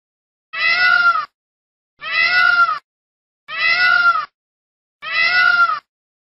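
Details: Peacock calling: four loud, nasal, harmonic wails, each under a second long, repeated about every one and a half seconds in a steady rhythm with silence between.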